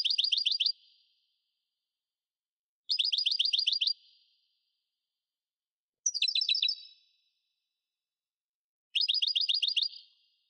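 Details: European goldfinch song, played to encourage caged birds to sing: four fast, rattling bursts of high clipped notes, each lasting under a second, repeated roughly every three seconds with silence between.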